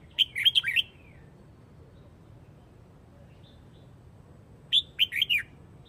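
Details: Huế red-whiskered bulbul calling the flock, two quick rattling groups of four or five bright, slurred chirps about four seconds apart, with quiet hum between them.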